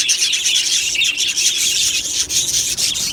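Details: Australian budgies in an aviary colony recorded on 1 July 2025, many birds chirping at once in a dense, continuous high chatter with no clear pauses.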